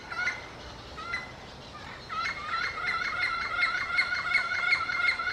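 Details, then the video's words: Yellow-fronted parrot communicating with its peers: a few separate squawks, then after two seconds a fast, continuous run of rapid two-toned chattering notes that grows louder toward the end. "yellow-fronted parrot comes to communicate with its peers"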